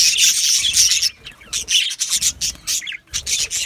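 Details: Chirping of yellow male budgerigars: short bursts of harsh squawky chatter and bright chirps, broken by quick gaps, several birds calling in rapid succession.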